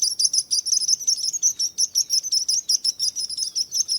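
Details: Regular, fast bird chirps, high and sharp, around five per second, with a steady rhythm from start to finish.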